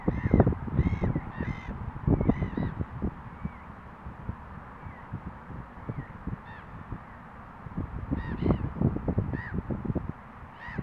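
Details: Great crested grebe (Podiceps cristatus) in Estonia giving harsh, nasal, honking calls in quick bursts, clustered at the start and end, over heavy low wind rumble.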